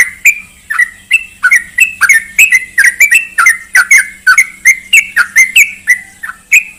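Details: Lure recording of a yellow-vented bulbul for reviving a quiet bird's song: continuous loud, slurred, whistled notes of wavering pitch, about three per second, over a thin steady high tone and low hum.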